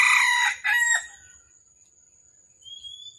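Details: Red junglefowl during a morning trapping session on 13 December 2021; the wild bird fought twice before it was caught. The tail of a loud hoarse crow in two rough bursts, then quiet, with a faint thin rising whistle near the end.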